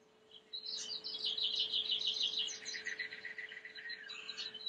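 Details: Timbrado canary, a white bird, giving clean song for training: fast buzzy rolled trills high in pitch, slightly varied, then a short break and a brief rising phrase at the end, over a low steady hum and faint background hiss.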